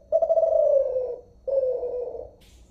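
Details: Zebra dove, the Kelantan voice type of the bird called terkukur in Malaysia and derkuku in Indonesia, unedited recording: two long, low, slightly falling coos with a brief gap between them, clear and quiet background.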